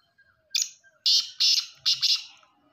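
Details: Black francolin calling: a short harsh note, then a series of loud grating, rasping bursts in quick succession, each strong and broad in pitch, with a quiet background.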